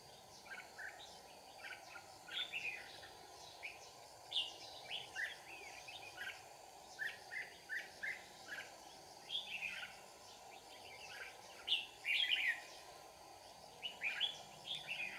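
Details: Red-whiskered bulbuls near a trap in Kim Bôi, Hòa Bình, Vietnam. Short, bright, chirpy phrases repeat roughly every second for fifteen seconds, some louder and closer than others, above a faint steady hum.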